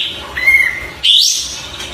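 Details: Oriental white-eye song: a thin, steady whistled note, a brief pause, then a bright note that sweeps sharply upward into high twittering.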